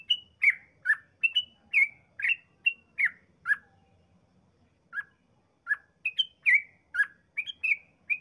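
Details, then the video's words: Yellow-vented bulbul with long 'ropel' song as a lure for other bulbuls. Quick bursts of gurgling, slurred whistles rise and fall, break off for a second or two, then resume in another fast, chattering run. "Trucukan gacor ropel panjang paling ampuh mancing trucukan lain cepat ngropel"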